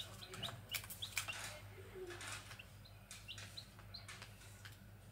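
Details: Grey junglefowl chicks utter scattered thin, upward-flicking peeps amid frequent rustles and crackles, with a low steady hum underneath.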